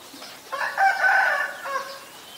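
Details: Common myna recorded on May 4, 2022 in Ubon Ratchathani, Thailand, with a Nikon P1000. A harsh, harmonic-rich call swells for about a second, then fades. The surroundings are quiet.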